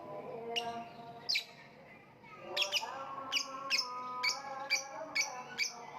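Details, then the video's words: Lovebird calling with a few spaced shrill chirps, then a steady run of sharp high chirps about every half second; soft tonal hum in the background. "voice of lovebird / Lovebird kicau"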